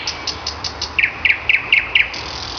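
Common nightingale song: a run of thin, high notes, then five rich, rattling double notes repeated about four times a second, over a soft hiss.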